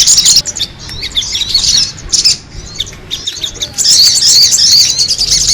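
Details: Noisy sogon bird used as a lure. Loud bursts of shrill, squawking twitters alternate with quieter patches, then a sustained high chatter takes over in the last seconds.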